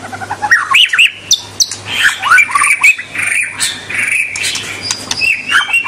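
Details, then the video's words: White-rumped shama song played to get young birds singing: dense, varied jumble of chattering, sliding whistles and clicks without pause, moderately loud with a low hum in the background. "Kicau super murai batu bikin bakalan dan junior langsung ngentrok dan ngekek panjang"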